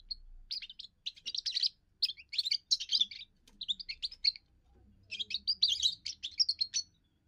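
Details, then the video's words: First song of a young European goldfinch, a song used to hold territory and win females: fast, jangling, high chirps strung into several twittering phrases, with a faint low hum underneath. "first song of a young goldfinch"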